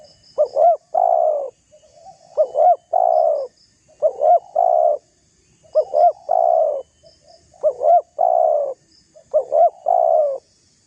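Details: Spotted dove giving its rival-provoking call: a steady series of phrases, each a quick double coo and a long sustained coo, about six phrases in eleven seconds, faint high chirping in the background.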